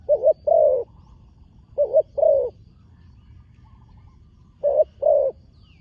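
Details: Spotted dove, a new bird brought onto the competition ground for the first time, cooing in paired notes: a short double-pulsed coo followed by a longer falling coo, repeated three times with gaps of over a second.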